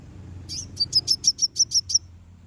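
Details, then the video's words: Konin song meant to lure and provoke rival birds: a rapid run of about nine sharp, very high chirps evenly spaced over one and a half seconds, over faint low background rumble. "Konin bunyi manggil lawan"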